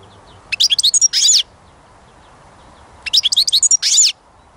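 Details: Goldfinch singing two short twittering phrases, each a run of quick high chirps closing with a buzzy, nasal note, about two seconds apart.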